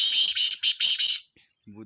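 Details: Black francolin from Sindh, kala tetar, in a chakree training recording: one long, loud, rasping high burst broken into pulses, ending abruptly, followed by a brief low human voice.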